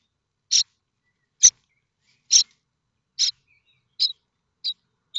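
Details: Nestling common starlings at Théding, France, 7 May 2024, begging for food from their parents; seven brief, harsh, noisy calls spaced just under a second apart, growing slightly thinner toward the end.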